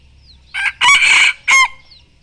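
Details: Rooster crowing on 26 July 2023, a bird said to crow often: a hoarse, loud crow in three parts, a short opening note, a long sustained middle section and a clipped final note.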